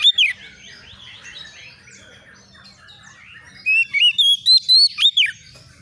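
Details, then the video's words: White-rumped shama, a young bakalan bird, singing agitatedly in answer to a rival: a quiet stretch of soft warbling, then a run of loud, clear whistled notes sliding up and down, about six in quick succession near the end. "SEKETIKA ITU KACER BAKALAN LANGSUNG NYAUT EMOSI KONSLET!!!burung Kacer cari lawan"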